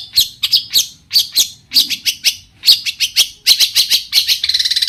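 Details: Long-tailed shrike song used to make other shrikes sing back: loud harsh downslurred notes in uneven bursts, ending with a fast rattling trill.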